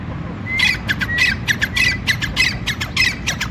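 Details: A male grey francolin (Francolinus pondicerianus) calling: loud, harsh squawking notes in a quick, jerky run, roughly two per second, with rising whistled starts over a low rural rumble.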